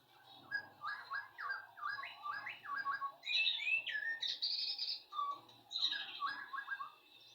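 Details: Sooty-headed bulbul kept as a tame bird, delivering chattering phrases of quick down-slurred notes followed by louder, richer warbles; the pattern repeats after a brief gap, with faint low background rumble.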